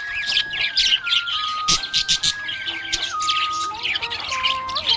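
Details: Budgerigar chirping happily, a busy stream of high squeaky chirps, clicks and warbled trills in short bursts, over a soft sustained melodic tone that shifts in steps.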